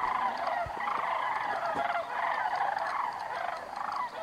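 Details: Sandhill cranes riding a thermal on their way north for the summer over Bandelier National Monument: overlapping rolling, rattling calls from several birds, bursts following one another almost continuously, with a few low thumps.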